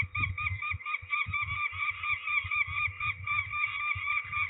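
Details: Ringing of peregrine falcons at Trzebież, Poland, on 13 May 2019: a continuous chatter of rough, scratchy notes, roughly two per second, with intermittent low thumping noise beneath.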